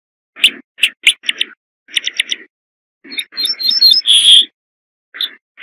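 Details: A corn bunting sings a run of stuttered, ticking notes that quicken into a tinkling flourish and end in a prolonged bright note, followed by a couple of isolated chips.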